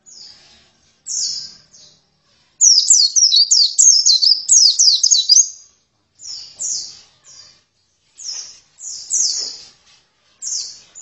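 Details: High-pitched song of an oriental white-eye: short chirp groups, then a dense run of quick downslurred twitters lasting about three seconds, followed by scattered brief phrases separated by short silences.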